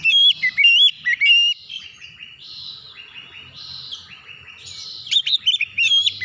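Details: Oriental magpie-robin song for getting untrained birds to open up and sing: loud whistled phrases first, then a long stretch of varied softer warbling and trills, ending with bright whistles.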